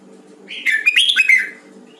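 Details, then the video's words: A Hue red-whiskered bulbul in voice training sings one continuous, loud, tumbling phrase of bright whistles and warbles lasting about a second, backed by a faint steady hum. "Luyện giọng chào mào huế"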